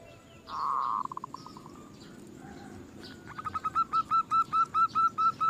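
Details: Zebra dove song used as a lure recording to get other doves singing: after a faint, blurred opening, a fast series of short, evenly spaced cooing notes builds steadily louder and repeats about twice a second.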